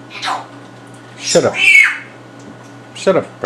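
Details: Pet African grey parrot in a house of gamers, a bird that picks up words and sounds easily and has learned cussing and shooting noises, giving sharp squawks and rough, speech-like mimicked syllables in short bursts indoors.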